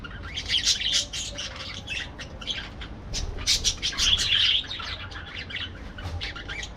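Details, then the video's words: Parakeets in an aviary: dense, overlapping high chirps and squawks in quick bursts, swelling loudest around the fourth second, with a low background hum throughout. "parakeet sounds"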